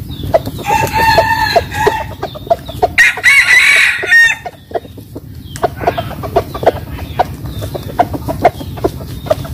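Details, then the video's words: Roosters crowing in the morning in a home village: two harmonic crows, the first held steady, the second rising and wavering, over a constant low rumble with scattered clicks. "Tiếng gà gáy buổi sáng ở quê tôi/the sound of chicken morning in my house"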